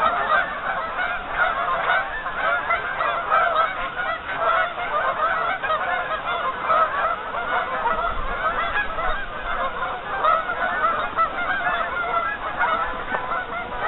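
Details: Lots of geese on a partly frozen lake keep up a loud, overlapping chorus of honks and chattering calls for the whole stretch, steady in volume.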